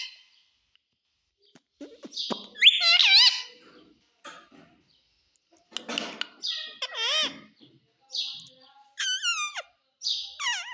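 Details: Parrot saying "mummy" and "papa": scattered clicks and soft noises give way to repeated short, wobbling, nasal syllables that grow more frequent toward the end.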